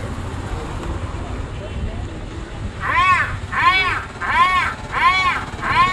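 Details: Crow calling during mating: after three seconds of steady rumbling background noise, five harsh, arching caws follow at regular intervals of under a second.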